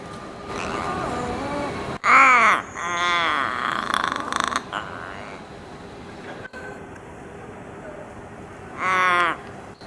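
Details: A chatty Australian raven (Corvus coronoides coronoides) in Sydney, 19 November 2024, gives a varied run of harsh, throaty calls: a loud burst, a longer gurgling stretch, then one more loud call near the end.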